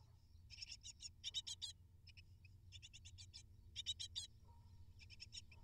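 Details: Begging from eight great tit nestlings being fed: tight groups of shrill, buzzy chirps, a lull with single faint notes, then a renewed burst, backed by low mechanical hum.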